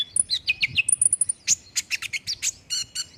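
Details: Olive-backed sunbird song used as a lure to make a bird respond and sing quickly: a rapid run of high, thin chirps and short downslurred whistles, then a sustained high trill and sharp repeated chips.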